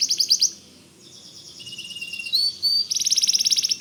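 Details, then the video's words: Energetic song of a white canary, kept as a tutor for magpie robins: a fast high trill, softer warbled phrases, two clear rising whistles, then a rapid ringing trill. "Suara Kicau Kenari Putih Gacor Dor"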